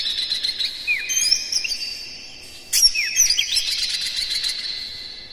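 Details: A captive Oriental magpie-robin's morning song, played to prompt other birds to sing: two bouts of fast, varied whistles with sliding upward notes, separated by a short lull, over a steady high tone.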